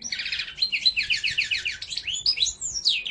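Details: Mosaic canary singing a rapid, continuous song: fast trills of repeated high notes sliding between upper and lower pitches, then sweeping whistled phrases and rising and falling slurs toward the end, with no other sounds apparent.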